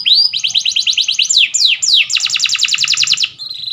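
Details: Canary singing a training song: a rising whistle, a fast pulsed trill, a few sharp downward sweeps, then a long rapid rolling trill ending in a steady high tone.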